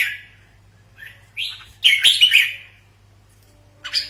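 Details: Red-whiskered bulbul lure sound for trapping and for tutoring other birds: a few scattered short harsh notes, then a dense chattering burst about half a second long, with a steady low electrical hum underneath.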